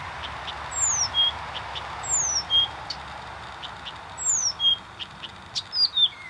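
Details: Blyth's reed warbler (Acrocephalus dumetorum) singing in Warmia on 10 June 2020: high, thin phrases of a clear falling whistle and a short level note, repeated about every two seconds, with soft clicks between.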